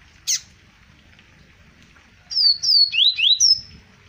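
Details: Double-collared seedeater recorded in Arapiraca, Alagoas, in 2020. After one sharp chip, it sings a rapid series of high, clear slurred whistles, some falling and some rising, over a faint low background hum.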